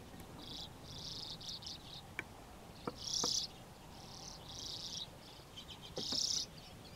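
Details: Common Redpolls from a flock of about 80, wintering for a few months and feeding near a grain silo bag, give bursts of high, buzzy trills and dry twittering chatter on March 8.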